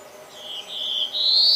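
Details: Black-throated blue warbler song: two or three buzzy, level notes followed by a final buzz that climbs upward. A low steady hum runs beneath.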